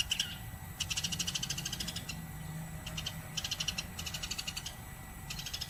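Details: Sparrow singing vigorously and without pause: bursts of rapid, high, chattering notes lasting about a second each, separated by short gaps, over a low steady hum and faint background noise.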